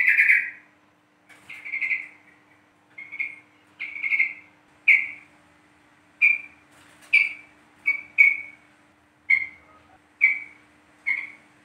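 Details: East Javan 'trucuk kebo' yellow-vented bulbul lure sound: a series of a dozen short, clear whistled notes, each rising then dropping, spaced roughly one second apart.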